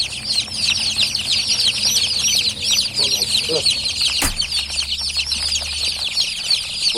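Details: Freshly hatched chickens peep incessantly, a thick layer of high, sharp cheeps repeating several times a second; brief male speech and a single sharp knock partway through.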